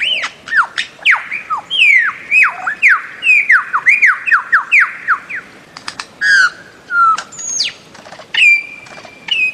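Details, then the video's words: Bird-of-paradise giving a quick series of loud, downslurred whistled calls, followed by scattered squeaks, a sharp upswept note and a final steady whistled tone. "Bird of Paradise Calling Sound"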